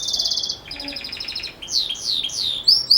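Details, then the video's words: Belgian canary singing the bell-like 'campainha' style: a fast high buzzy trill, then a softer pulsed trill, then sharp rising and falling whistled sweeps. "Canário Belga Canto Campainha Ótimo Para Filhotes"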